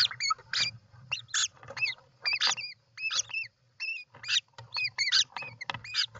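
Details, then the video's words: European roller calling at the nest on 29 June 2024: a fast, irregular string of grating rasps mixed with brief upslurred and downslurred whistles, several per second, over a faint low hum. "European Roller Nest"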